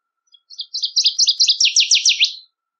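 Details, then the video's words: A wild northern waterthrush sings one loud, emphatic phrase: paired sweet notes repeated about a dozen times, quickening and dropping into sharply downslurred final notes; quiet surroundings. "Birds Singing - Northern Waterthrush"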